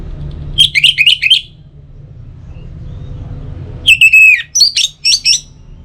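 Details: Orange-headed thrush song used as a morning and evening lure to get kept birds singing: a quick group of four bright whistled notes, a pause, then a longer phrase opening with a falling slur and clipped notes, over a low hum.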